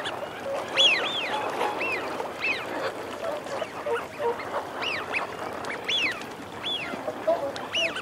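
Eurasian wigeon give repeated loud, arching whistles, a clear rising-falling 'wheeoo' from several males, over low growling and a continuous background murmur.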